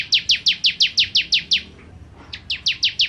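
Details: Bar-winged prinia, 'kristal' type, in full 'nembak' song: evenly spaced, piercing downward-slurred notes about six per second, a short break with faint chirps, then the rapid series resumes.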